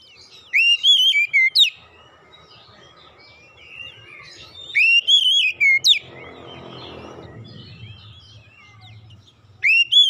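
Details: Oriental magpie-robin (kacer) singing on a therapy track for mute birds: bright whistled phrases ending in sharp upward notes, given three times roughly every four to five seconds. Soft low rumbling noise fills the gaps.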